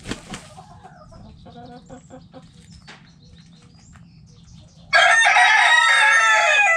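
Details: Backyard coop with hens and roosters: faint scattered clucks and a wing flap, then a rooster bursts into a loud, rich, harmonic crow that carries on strongly to the end.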